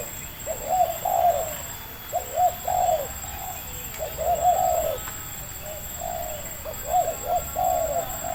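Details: Spotted dove of local stock with a medium-pitched voice, caught by lure trapping at Libaas: repeated paired and tripled cooing phrases throughout, over steady hiss and a faint high tone.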